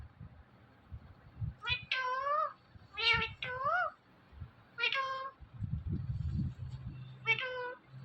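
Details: Indian ringneck parrot talking and mimicking words: a series of short, harmonic, speech-like syllables in bursts, some wavering up and down, with quiet gaps between and low background rumble.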